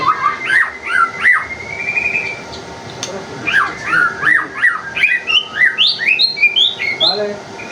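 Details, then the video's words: Murai batu, the white-rumped shama, singing as a lure for other birds: short whistled phrases, a pause, then a rapid run of rising whistled notes. "pancingan murai batu gacor"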